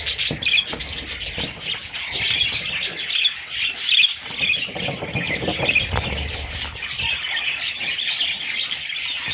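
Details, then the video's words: Baby parrots calling in a constant high, buzzy twitter, with louder sharp squeaks in bursts during the first half, then softer chatter. "Parrot little babies"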